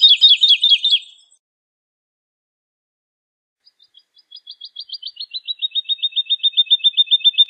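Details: Woodlark; a quick run of fluty looping notes, a pause, then a soft accelerating series of liquid notes that gradually loudens and descends slightly, repeated steadily.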